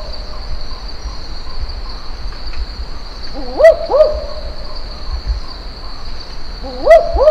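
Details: Barking Owl in Australia's Top End near Darwin, a call that in the distance can sound like a pack of dogs. Paired, sharply rising 'wook-wook' barks are repeated after about three seconds over a steady high insect drone.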